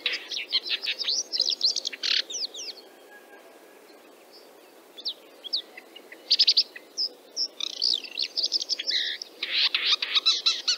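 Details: Red-backed Shrike of Central Russia in a burst of harsh, squeaky high chatter with rasping downslurred notes, then a pause of about two seconds broken by a few thin whistles, before scratchy, jumbled phrases resume and thicken toward the end.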